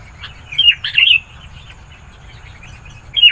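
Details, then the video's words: Sooty-headed bulbul song used to call wild bulbuls: two quick bubbly, warbling phrases close together, a pause of quiet, then another bright note starting at the end. "Suara Burung Kutilang Gacor, Memanggil Kutilang Liar.."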